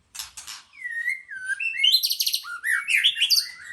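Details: White-rumped shama giving two dry rattling notes, then a smooth descending whistle that breaks into a rapid cascade of high, tumbling, chattering notes with rising whistled slurs.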